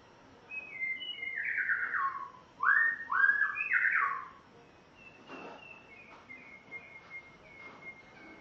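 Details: Song of a spotted morning-thrush from Tanzania on its first day at home: a run of descending whistled phrases builds into loud, full slurred notes, then fades into soft high repeated whistles.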